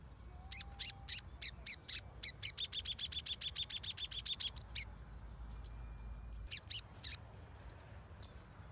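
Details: Crimson sunbird (sogon) used as lure audio to set a quiet bird singing: a steady run of quick, piercing high notes, about four a second, then a few separate chips and twitters.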